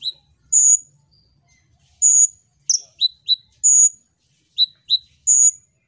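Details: Olive-backed sunbird lure song for prompting other birds: drawn-out piercing high whistles alternating with pairs of short sharp chirps, in spaced phrases over quiet background.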